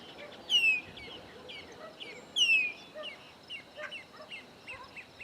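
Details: Chopi blackbirds, three visiting a farm in the sertão of Bahia, Caatinga, Brazil: two loud downslurred whistles roughly two seconds apart, with softer chattering notes from other birds scattered in the background.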